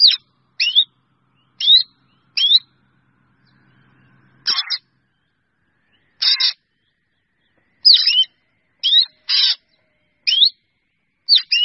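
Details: Drongo calling to its flock: a series of bright, twanging notes, some with rising slurs and some rasping, given singly or in pairs, with a brief low hum midway.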